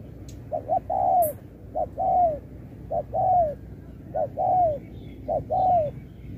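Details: Spotted dove in a 2024 contest, singing Thúc with Bo. Double short notes, then a sustained downslurred coo, repeated steadily about four times. Faint human voice and clicks early on, over low hum.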